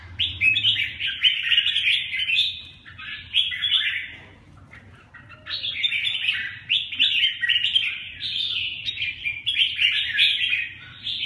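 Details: {'text': 'Red-whiskered bulbul giving lively, chattering warbles in two long runs separated by a short pause, against a faint low background rumble.'}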